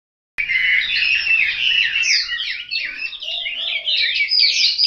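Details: Chinese hwamei kept at home in Hanoi, singing a loud, rich, continuous warble of fast slurred whistles and trills after a brief silence, with faint lower notes near the end.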